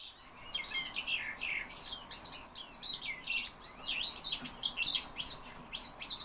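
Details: A nervous caged calandra lark, filmed late in the evening, pours out a fast, unbroken stream of chirps, trills and scratchy mimicked notes.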